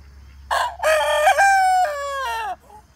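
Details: Rooster crowing: a short opening note, then a long, loud, harmonic-rich crow that holds level and slides downward at the end, lasting about two seconds, followed by a faint soft note.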